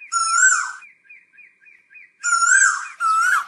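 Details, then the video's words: Asian koel calling its flock: two loud, drawn-out slurred notes separated by a soft series of faint, rapidly repeated chirps, ending with a third strong call. "Tiếng chim Tu Hú gọi bầy"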